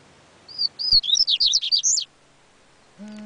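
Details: Yellow-bellied seedeater delivering a short, lively phrase of high sliding whistles and fast chirps lasting about one and a half seconds. A steady low hum begins at the very end.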